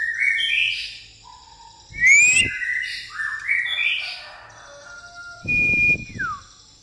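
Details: Pastol-style white-rumped shama song with a fighting-sparrow fill: chattering whistled phrases, a loud rising squeal, falling slurs, then a long steady high whistle ending in a downward sweep, with clattering noise bursts.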